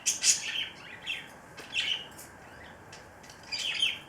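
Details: A cockatiel preening in close-up gives short, bright chirps and scratchy squeaks at irregular intervals.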